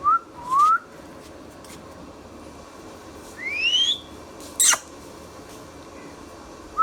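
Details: Rose-ringed parakeet at home producing scattered rising whistles, a longer upslurred whistle, and one brief piercing squawk, with long quiet pauses.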